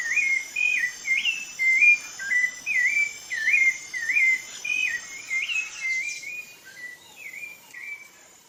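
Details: Brazilian rufous-bellied thrush delivering a long, steady series of looping whistled phrases, nearly two per second, fading toward the end, with a constant high insect drone behind.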